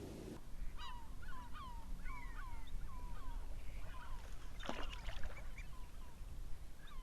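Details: Wintering male osprey at Urdaibai, Spain, calling as it detects the arrival of a female and goes to meet her; a series of short, downslurred whistled yelps, repeated rapidly in bursts, over steady low background rumble.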